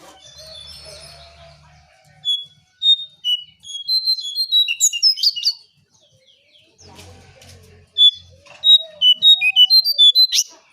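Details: Brown shrike sounds offered as a lure for birds: two bursts of quick, sharp, high whistled notes separated by a pause, with soft chatter and faint low noise between them.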